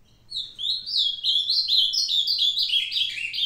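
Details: An old male ultramarine grosbeak, still singing well on 22 May 2022, gives a rich, fast warbled phrase of sweet whistled notes that slur up and down for about three seconds, with a faint indoor hum.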